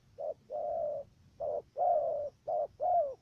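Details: Stuttering 'gù cà lăm' cooing from a decoy dove used to lure wild doves into a trap in Cà Mau, Vietnam. Brief notes alternate with longer, level, mellow coos in three clear pairs.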